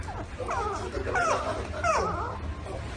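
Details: Pet parrot imitating dogs, giving a run of rough, harmonic bark-like yelps with bent, wavering tones, steady low background hum underneath.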